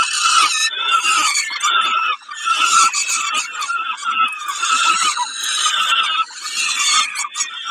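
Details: During a snack at Kawęczyn on 20 May 2022, a peregrine falcon gives grating, squealing calls in strong runs, with two brief drops in loudness before the screeching resumes.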